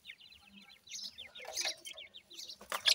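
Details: Female grey francolin with chicks being trained: a steady string of high, thin, descending peeps, then louder rustling and clicks toward the end.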